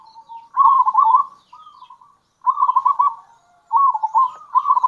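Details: Three loud, rolling, rippling coo phrases from a local zebra dove, with soft notes between them. These are kerot and bekur calls used to attract other zebra doves.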